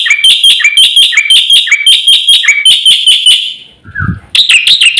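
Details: Black-winged myna giving a fast, full song with many varied notes, used as a lure to get silent mynas singing: rapid bright, harsh whistled notes, about three per second, a brief pause, then a renewed burst.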